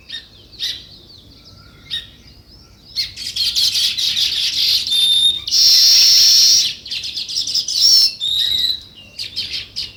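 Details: Natural sparrow chirping: scattered short chirps, then a busy chattering chorus with several clear, steady whistled notes near the middle and end of the recording.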